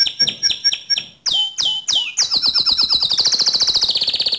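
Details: Canary song meant to stir another canary to sing: a few spaced chirps, then three loud downslurred whistles, then a long rapid rolling trill that slowly drops in pitch.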